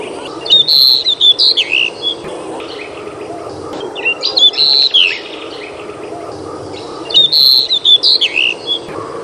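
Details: A Pied Bushchat, recorded on 21 June 2021, sings short, clear whistled phrases of rapid chirps and slurred notes, repeated about every three seconds over a soft low hum.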